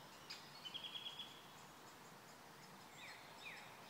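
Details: Black-necked grebe at Kala pond, Hostivice, 26 May 2016, giving a quick run of six high, thin notes, then a fainter rising whistle, over steady hissing background noise.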